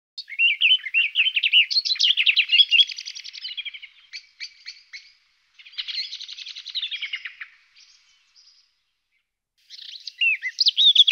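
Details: Garden warbler song: bursts of rapid, warbling phrases, several seconds long and separated by short pauses, full of quick rising and falling notes mixed with buzzy elements, with no other clear sounds.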